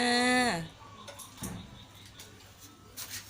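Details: Common hill myna mimicking human speech, a half-second, voice-like word, steady and rich in overtones, sliding down at the end, then faint room noise and clicks; a pet myna in Thailand that talks Thai greetings.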